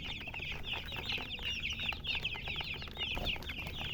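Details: Many chickens chirping at once, bright high peeps tumbling over each other in a continuous busy chorus, some notes slurring down, over a faint low rumble.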